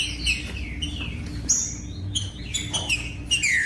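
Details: Song of a captive rufous-bellied thrush, used to rouse other caged thrushes: bright whistled notes and down-slurred phrases in irregular bursts, with a faint steady hum behind.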